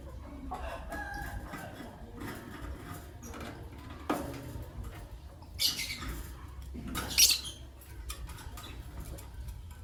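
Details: Morning chirping from Green Personata and albino lovebirds: scattered soft clicks, then two sharp, shrill squeaks near the end over low background hum.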